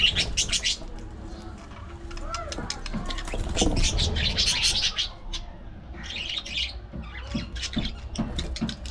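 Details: Budgies at play, fighting and grooming, a flock pouring out busy chirping chatter in bursts, with sharp high squawks and warbles separated by brief lulls.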